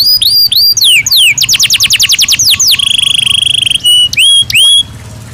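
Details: Natural song of a Belgian canary: bright downward-swept whistles lead into a rapid rattling trill, then a sustained pure whistle and a few short rising notes, with a faint low hum beneath.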